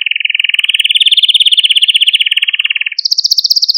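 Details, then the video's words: Male Maltese canary holds a long even mid-pitched trill for about three seconds, then switches to a brighter, higher fast trill, meant to stimulate other canaries. "Etkileyici Malta Kanarya Ötüşü Ve Erkek Kanarya Sesi"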